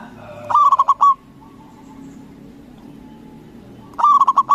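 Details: A big-voiced local zebra dove from Indonesia, kept as a lure to goad rival doves into answering, sings two stuttering coo phrases about three and a half seconds apart, each of several rapid throbbing notes and a drawn-out finish.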